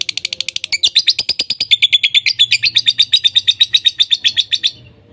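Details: Lovebird chattering: a few spaced sharp chirps, then a long fast run of shrill squeaky notes with a whistled edge, ending abruptly in quiet.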